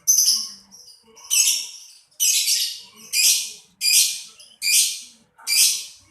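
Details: Lovebird repeating loud, harsh, high-pitched screechy notes, each burst about half a second long, given roughly every eight-tenths of a second, seven in a row.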